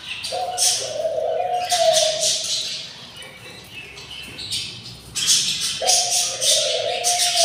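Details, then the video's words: Budgerigar chicks, six hungry nestlings aged 24 days, rasping and hissing in broad, grating bursts, with a low steady hum starting and stopping twice in the background. "couple budgies nest, 06 eggs , 06 eggs hatched, and 06 beautiful chicks are very hungry / day 24"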